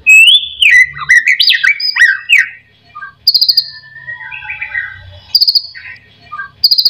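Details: White-rumped shama song intended to make other shamas sing: a burst of looping whistled notes, then softer warbling, with short bursts of high insect trilling repeating in the background.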